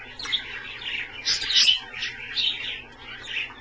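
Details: Captive Australian parrots during a dish bath, a steady stream of high, scratchy chirps and twittering notes overlapping one another, rising to a denser burst midway, with no other sounds.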